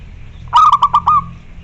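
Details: Local zebra dove, a loud singer, calling a rival. It gives one mellow cooing phrase of about five quick pulsed notes that ends in a drawn-out level coo. A low hum runs underneath.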